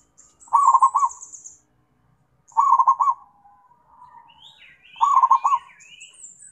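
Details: {'caption': 'Calling its companions, a zebra dove repeats short, bubbling, staccato coo phrases about every two seconds, while other small birds add high, thin chirps and twitters between the phrases.'}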